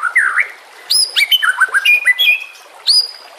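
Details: Lure and training song of a white-rumped shama: varied clear whistles, dropping and rising slurs and sharp high notes in quick bursts, with a short pause before a final high whistle.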